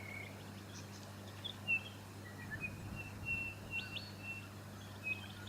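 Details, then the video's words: White-fronted honeyeater, Aboriginal name koolbekolbon, recorded in Victoria, Australia, in August 2017: a scattered run of short, thin whistled notes, some slurred and rising, given at irregular intervals over a steady low hum. "Ptaki Australii: Purnella albifrons"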